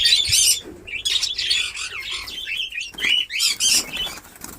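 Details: Captive budgerigars in a newly set-up breeding colony in Darbhanga, Bihar, at the start of breeding: dense, overlapping high chirps and warbled squeaks from many birds, in bursts with brief pauses.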